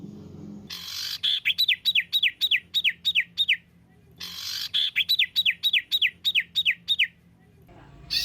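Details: Bird song used as training material: two phrases of about eight to nine loud downslurred whistled notes each, evenly spaced about a quarter second apart, with buzzy onsets and a faint low hum beneath.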